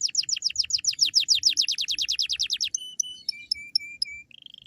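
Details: Canary song used to lure other canaries into singing: a fast run of about twenty sharp descending chirps, then short high whistled notes and a steady buzzy trill at the end.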